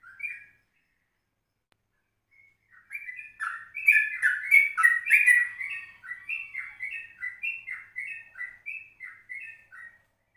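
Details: Yellow-vented bulbul in a 04:30 morning recording used to lure other birds: a brief note, a pause, then a long, lively stream of warbling, gurgling phrases that gradually settles into steady, evenly spaced notes.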